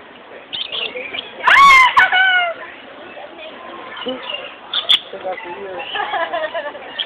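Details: Lorikeets at San Diego Zoo Safari Park, seemingly fighting but said by staff to be playing, chatter in a busy flock: one loud, grating screech near the start amid steady high twittering and squeaks.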